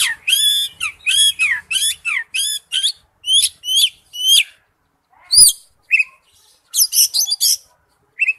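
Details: Oriental magpie-robin lure song with a fast, steady series of rich whistled phrases that end in sweeping slurs. After a brief break come scattered higher notes and a short burst.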